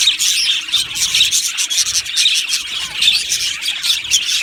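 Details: Aviary budgerigar colony, Australian parakeets, chattering nonstop: thick, raspy warble of many birds at once, scratchy high notes and brief squeaks blending into a steady hiss-like chorus.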